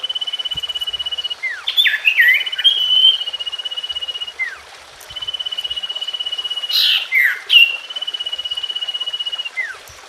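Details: Common iora (sirtu/cipoh) song for reviving a bird that has stopped singing: steady high pulsed trills broken twice by clusters of tumbling, descending whistles and brief sharp notes, each trill ending in a quick downward slur.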